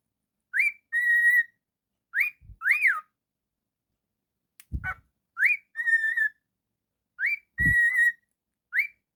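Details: Pet cockatiel whistling rising swoops each followed by a long level whistle, repeated several times, with occasional low thumps and taps in the room.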